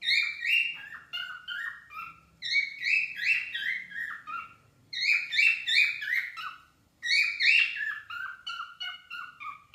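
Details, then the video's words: Singing pet cockatiels deliver four warbling phrases roughly every two and a half seconds, each a tumbling series of clear whistles falling in pitch, loud and close, over a quiet indoor background. "cockateils singing"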